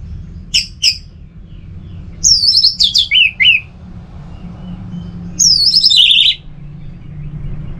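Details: Orange-headed thrush kept at home in North Bali, singing in the 'teler semi doyong' style. Two sharp clicks lead into two similar descending phrases of stepped whistles, about three seconds apart, over a low hum.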